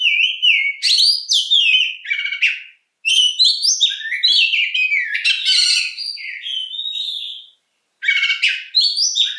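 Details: Oriental magpie-robin giving a long, full song: varied whistled phrases rising and falling, mixed with harsh buzzy notes and rapid trills, broken by two short pauses.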